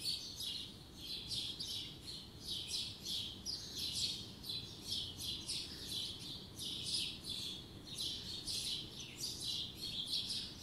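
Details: A spring morning in 2020 with many birds singing together: fast, high-pitched chirping trills run almost nonstop, rising and falling in quick waves over a soft background hiss.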